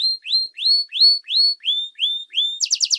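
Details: Training song for young and adult canaries: a row of upward-curving whistled notes about every third of a second, ending in a short rapid chattering trill.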